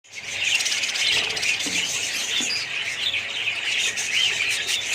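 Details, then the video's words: A colony of budgerigars: dense, continuous chattering of many birds, overlapping high chirps, squeaks and warbles with no pause. "budgies parrots colony"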